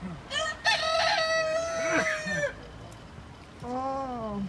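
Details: Roosters crowing at Fair Oaks village: a long harmonic crow rising then holding steady and falling away over two seconds, a shorter second crow near the end, with people talking nearby.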